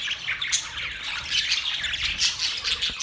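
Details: Happy budgerigars give a continuous layered chatter of thin whistled notes and harsh squawks, steady in loudness, with brief bright pips standing out.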